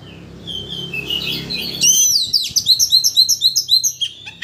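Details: White-rumped shama, kept as a provocation bird to stir another shama into singing its full repertoire; a buzzy, scratchy opening gives way to rapid repeated whistled notes, about four per second, high-pitched and bright.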